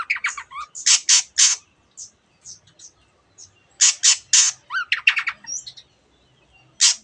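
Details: Long-tailed shrike (Lanius schach) mimicry song, including borrowed canary and many other birds' phrases: harsh, squawky bursts mixed with rapid high chirps and a slurred whistle, in quick uneven phrases.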